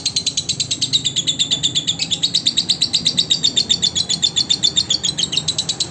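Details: Lovebird training recording: high, buzzy chattering notes repeated quickly and evenly, forming a continuous excited stream with slight pitch variation throughout.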